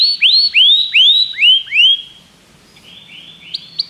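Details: Common canary singing: a series of clear whistled notes that sweep up sharply then level off, five repeated about every 0.4 seconds, followed by softer lower trilled notes and two short high chips at the end.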